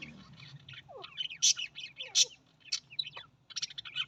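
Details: Australian parrots in busy chatter: rapid chirps, downward whistles and loud sharp squawky notes overlapping, with a low background hum.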